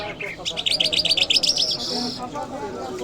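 A lark sings a rapid run of bright, high chirped notes, about four per second, ending in a sustained buzzy trill; faint background noise underneath.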